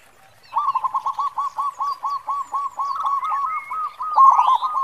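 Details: Local zebra dove (perkutut), a strong caller used to lure others, gives a fast, even run of soft, rolling coos, about four each second, with a fuller note near the end; thin chirps of other small birds sound above.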